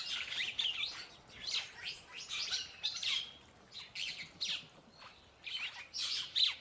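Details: Purple Starling (Purple Glossy Starling, Lamprotornis purpureus) giving a run of harsh, chattering calls mixed with squeaky whistled notes, in bursts every half second or so, with no other clear sounds.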